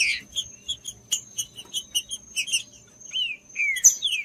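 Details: Green-winged saltator singing, meant to stimulate a cold bird, opens with a loud note and steady ticking chips, then after a short pause delivers two falling whistled slurs, while a faint high tone runs throughout.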